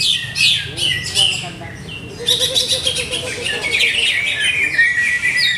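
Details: Caged greater green leafbird being tried out for contest form, giving scattered chirps that build into a long, rich twittering warble with a soft low trill underneath.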